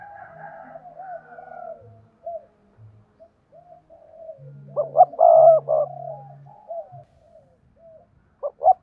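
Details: Decoy spotted dove cooing to draw in wild doves in the two-ending style: soft arched coo notes, then a louder cluster of hollow coos in the middle, over faint low humming and scattered background calls.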